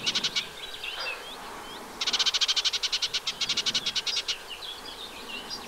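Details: Eurasian reed warbler at its nest site in a riverside wet meadow on the Vilaine near the Arzal dam, Brittany, 15 June 2023: a few chirps and soft whistles, then a long repetitive chattering phrase of evenly spaced grating notes.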